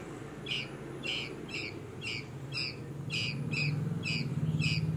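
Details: Young red-vented bulbul giving short, sharp chirps in a steady series, about two per second, with a low rumbling hum of background noise beneath.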